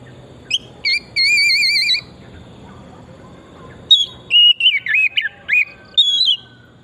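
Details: Oriental magpie-robin song from forest habitat, a lure to stimulate singing: a long wavering trill over steady background hum, a pause, then varied whistled and twisting notes.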